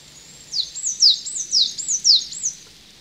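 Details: Coal tit at a garden bird pond in the Veluwe: thin, very high two-part notes, each sliding down then up, repeated about six times in two seconds with a steady bouncing rhythm over quiet background.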